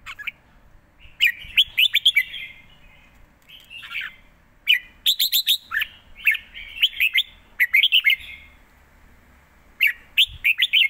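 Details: Live red-whiskered bulbul song noted for rapid delivery and good phrasing: bursts of clear, liquid whistled notes in quick runs, each run followed by a brief gap, against a quiet background.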